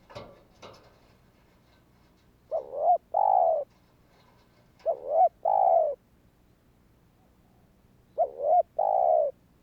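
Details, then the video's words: Spotted dove giving kích bổi calls to set other doves calling: three paired phrases, each a rising-falling coo followed by a longer steady coo, spaced about three seconds apart, after a few clicks at the start. "Chim cu gáy Thúc kích bổi , Tiếng cu gáy Thúc hay ,tiếng chim cu gáy kích bổi"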